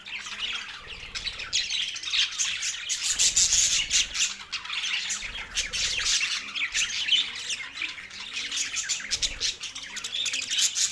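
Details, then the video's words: Harsh squawky chatter from two male pet budgerigars, loud grating high notes mixed with chirps, a few low muffled thumps and faint lower tones in the background. "cute pet 2 Male Budgies parrot chirping sounds"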